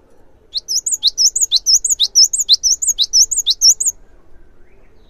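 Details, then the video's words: Singing cinereous tit, meant as a lure that sets other tits off calling. A long three-second burst of rapid, ringing, high two-note phrases repeats steadily, then stops, leaving near silence. "GELATIK BATU GACOR | SEKALI PUTAR SEMUA GELATIK LANGSUNG IKUT RAME"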